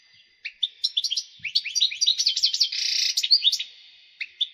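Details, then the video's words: Excited male European goldfinch singing to prompt females toward breeding. A dense, tumbling twitter of high tinkling notes builds into a continuous buzzy stretch, then thins out to a few final chirps. "هيجان حسون في قمة الجهوزية لتحفيز على تلقيح وتجهيز إنات الحسون لتزاوج"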